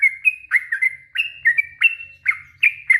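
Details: Yellow-vented bulbul, played to provoke birds into answering, gives bright, liquid whistled phrases with quick downward and upward slurs, several phrases in a few seconds, over a faint low rumble.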